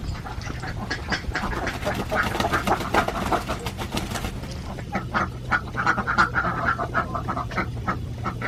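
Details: Alabio ducks, an endemic Borneo breed farmed in Central Java, produce overlapping quacks over a steady low machine-like hum, with a burst of sharp clattering sounds in the first half.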